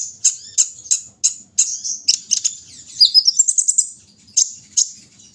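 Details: A kolibri ninja out for morning dew-taking gives spaced, sharp high chips that speed up into a quick twittering trill, then slow back to single notes.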